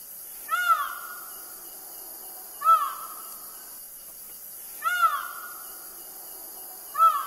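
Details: Feral Indian peafowl, Bushlands in south-east Queensland, repeating its loud harmonic call four times, every two seconds or so, each a sharp arched note followed by a long trailing wail; steady high hiss in the background.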